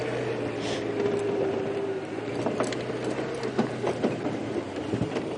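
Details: A vehicle rattles and clatters along steadily, with a brief squealing tone and uneven knocks.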